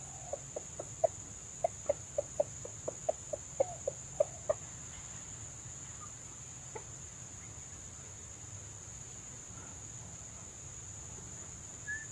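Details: Wild red junglefowl at a trapper's lure, hens arriving and birds going in and out; a quick run of about twelve short, sharp clucks over four seconds, then quiet apart from a steady high insect drone.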